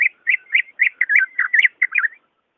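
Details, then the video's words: Greater green leafbird, song used to encourage a caged bird slow to sing: a continuous chattering warble of slurred whistled notes, about four per second. "SUARA ASLI BURUNG CUCAK IJO II cocok buat pancingan ijo malas bunyi"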